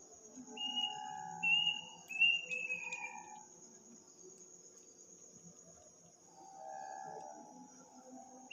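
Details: An unidentified bird gives its eerie midnight call in a village on Takbiran night: three or four high, clear whistles in a falling sequence, then quiet, with crickets droning steadily behind.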